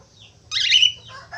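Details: Active budgerigar uttering a loud, harsh, buzzy squawk that trails into lower chattering notes, over a faint low hum.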